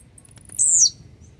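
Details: A single Blue-black grassquit phrase, the bird called grumpy and warmed up. Faint ticks lead into a sharp, buzzy, very high note that slides down at the end over a soft low background rumble.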